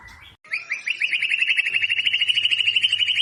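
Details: Shama lure song for training captive birds to sing, described as ngebat and tightly packed: a brief whistle, a short gap, then a fast, rattling trill of rapidly repeated notes that rises slightly and holds steady.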